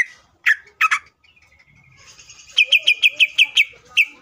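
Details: Caged greater green leafbird singing a fierce, active song used to provoke other leafbirds into singing: a few sharp chirps, then a rapid run of about eight bright repeated notes with a final note.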